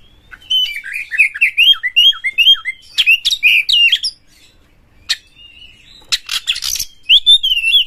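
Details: Champion Oriental magpie-robin (kacer) singing with full emotion to draw out other kacer: a fast run of repeated whistled slurs, then buzzy notes, a pause, harsh rasps and a closing warble.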